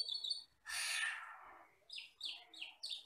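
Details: Song of a wild Asian glossy starling, a black forest bird with red eyes, in a tutor recording: a thin high note, a loud harsh hissing burst, then four short bright downslurred chirps in quick succession.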